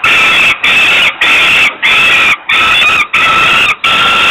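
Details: Hungry falcon chick crying for food at a nest watched by camera in Włocławek, Poland, on the evening of 27 May 2022 as the father brings food; loud, harsh, steady wails in long bursts, each broken by brief pauses.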